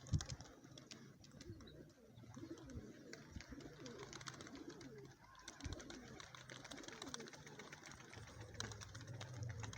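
Several Lotan pigeons coo together, low rolling coos overlapping almost continuously, with scattered sharp clicks and taps in the background.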